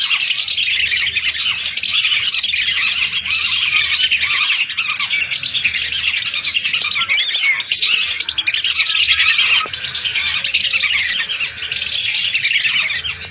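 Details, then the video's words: Lesser whistling ducks calling in a flock of hundreds, recorded as a lure; a long, steady mass of shrill whistled notes with no breaks, many callers blending together. "Suara burung Belibis RATUSAN untuk pikat"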